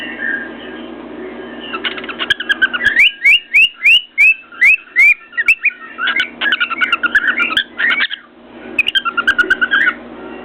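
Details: Pet cockatiel atop its cage banging its beak on a mirror: scratchy warbling chatter broken by a quick series of sharp rising whistles, plus tapping clicks and a steady low room hum.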